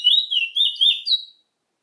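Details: Brief phrase from a Trinidad bullfinch, a few quick slurred whistles gliding up and down, ending in a higher note before silence.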